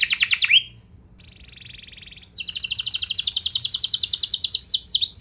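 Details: Singing canary used as a lure to draw responses from other canaries; a loud fast trill, a near-silent pause with faint buzzy notes, then a long rapid rattling trill ending in looping sweeps.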